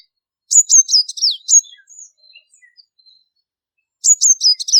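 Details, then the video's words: Purple-rumped Sunbird gives quick bursts of thin, very high, sharp chirps: first a twittering run of five or six notes, then a pause and another burst. "Let’s listen to the sound of a Purple-rumped Sunbird."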